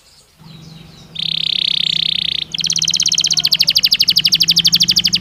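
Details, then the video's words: Belgian canary singing naturally: a soft opening, then a sustained buzzy trill, then a rapid, loud, pulsing roll of high notes, with a steady low hum underneath. "Som de 1 Hora com Canario Belga Cantando Naturalmente"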